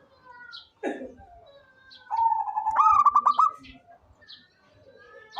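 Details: A single phrase from a local zebra dove: a level, soft coo that rises into a rapid string of bubbling, stuttered notes, with thin high chirps from other birds around it.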